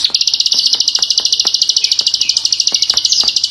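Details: Indonesian klik-klik bird in lively full-burst singing: a fast, steady, high chattering trill of rapid buzzy notes, unbroken across the whole stretch, with faint clicking ticks underneath.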